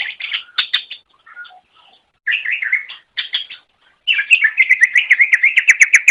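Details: Greater green leafbird singing on a master training recording: scratchy warbled phrases broken by short gaps, ending in a long, quick series of evenly repeated sharp chirps.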